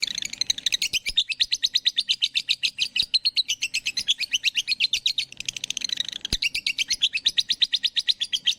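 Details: Bird chirping: a fast, steady stream of high, sharp chirps, roughly six to seven per second, running almost without pause, with two brief breaks near one and six seconds and faint clicks in the background.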